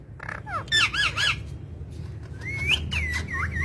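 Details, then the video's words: Talking parrot giving a few harsh squawks followed by a longer wavering whistled phrase that rises and twists near the end, with a low rumbling background throughout. "Parrot Talking"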